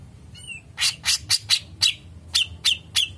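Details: Black-chinned bulbul singing in the long 'ngepik' tutor style: a faint thin whistle, then eight loud harsh buzzy notes spaced irregularly, about three per second.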